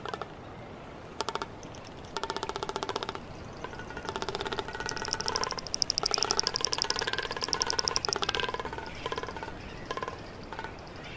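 Great frigatebird giving rapid, buzzy rattling calls in bursts of about a second, with a thin high whine rising over them midway.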